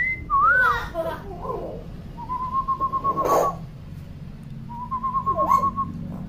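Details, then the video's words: Chatty common hill myna gives a looping whistle, then two pulsed, buzzing trills on one steady pitch, separated by a soft rushing burst, all over a faint hum. "BURUNG BEO GACOR & CEREWET"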